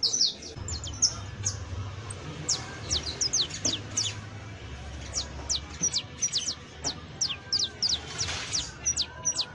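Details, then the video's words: Exemplary canario criollo, the saffron finch, giving scattered high sharp chirps and quick downslurs that grow busier toward the end, over a low droning hum. "AUDIO DE CANTO DE CANARIO CRIOLLO EJEMPLAR [SICALIS FLAVEOLA]"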